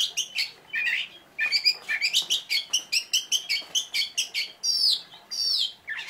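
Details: Rapid, sharp notes from a lively Oriental magpie-robin, chirps repeated quickly and unevenly, closing with two longer whistled, downward-sliding phrases.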